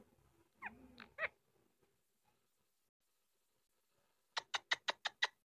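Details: Pet Indian ringneck parakeet indoors, a talking bird: two short rough bent notes early on, then a quick run of seven sharp, harsh, evenly spaced chattering calls near the end, with a quiet room between.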